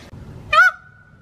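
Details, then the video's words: A peacock gives one loud, nasal, brassy trumpeting cry, followed by a thin ringing tail over a quiet background. "peacock original sounds"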